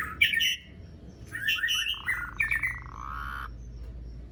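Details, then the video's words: Asian pied starling song played to coax silent starlings into song: harsh squawky notes and short whistles, ending in a sustained nasal buzzing tone. "Jalak Suren Gacor Dor Ngerol Panjang Ampuh Buat Pancingan Jalak Macet Agar Bunyi"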